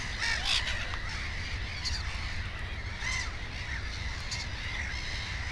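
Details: Black-headed gull by its nest with two chicks, giving scattered harsh screeching calls, louder near the start, with fainter gull calls and a low background rumble.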